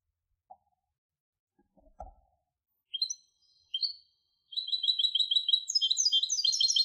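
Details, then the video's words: European goldfinch hybrid: a few faint low knocks, then two short high chirps near the third and fourth seconds, before a fast, bright, rattling trill of repeated high notes runs to the end. "تغريد هجين الحسون Canto De Mixto del Jilguero"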